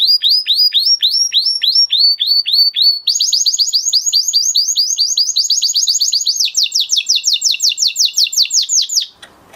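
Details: Male canary, excited ('mast'), delivering a long song: repeated downward-sweeping whistled notes, then a quicker run of similar notes, shifting to a higher pulsing trill that ends abruptly.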